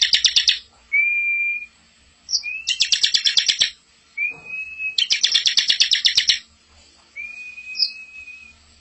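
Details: Recording of a bar-winged prinia for training young birds. Long thin whistles rise and level off, then burst into rapid, harsh, buzzy trilled phrases, alternating whistle and trill several times.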